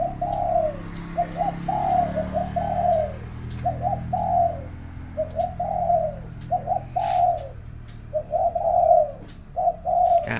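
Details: Zebra dove cooing in the morning, a dense run of rolling, slightly trilled coos in quick bursts that overlap and repeat over ten seconds, with a man talking quietly and faint clicks behind.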